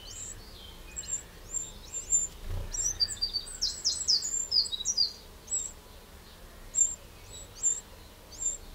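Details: In a Burgundy garden in France on 2 June 2023, a Eurasian wren utters high, sharp call notes throughout, while another bird's lower, busy chattering overlaps in the middle section.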